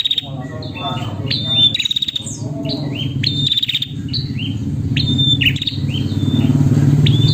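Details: A female prinia calls its mate with fast repeated high chirps and upslurred notes, about four per second, interspersed with softer buzzy trills, against a persistent low hum.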